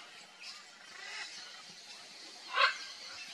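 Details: Red-and-green macaw (Ara chloropterus) during nesting gives one short, harsh, raspy squawk through a steady hiss of background noise.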